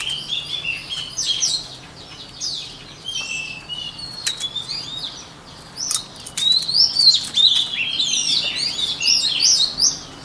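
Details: White-rumped shama song for voice training: mixed whistled notes and crisp chips early on, building after the midpoint into a loud, dense stream of fluty, sweeping phrases.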